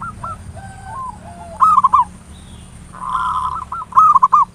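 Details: Local zebra dove giving ngayer nulop lure song to stimulate singing: soft preliminary coos, then loud rolling trilled phrases, one blurred and buzzy, repeating about every second, over a faint constant high whine.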